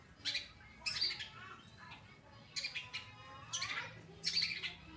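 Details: Long-tailed shrike of the Pastol type, kept as a caged songbird, in full song as a tutor recording for training other birds: sharp, harsh chattering bursts at intervals of about a second, with short scratchy squawks between them.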